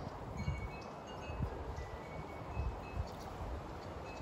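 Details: Outdoors at a feeding tree, wind chimes ring with soft high tinkling tones over steady wind noise and low rustling gusts, with no animal voice standing out.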